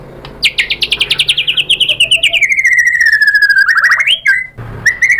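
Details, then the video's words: White-rumped shama in full song, provoked by a lure recording into replying and showing off its learned filler phrases: a fast run of repeated sharp notes sliding down, then a long level whistle, a rising slur and bright chirps. "MURAI BATU GACOR memancing EMOSI jadi NYAUT BONGKAR MATERI ISIAN"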